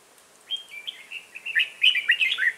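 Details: Red-whiskered bulbul with a 'bullfrog throat' voice at a trapping session on 1 October 2018, singing a lively run of short, slurred whistled notes that grow louder and denser toward the end, rising and falling in quick succession.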